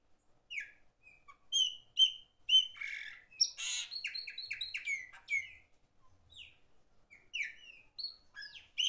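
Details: A loud-singing chopi blackbird delivers a varied song of whistled slurs mixed with harsh squawking notes and rapid chatter, with phrases bunched together and short pauses between them.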